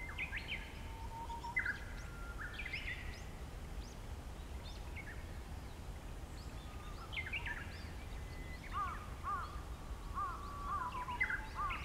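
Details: Japanese bush warbler singing close by, with long, steady whistled notes followed by quick rising and falling flourishes, repeated across the clip. Short chevron-shaped calls from other birds and steady low background rumble.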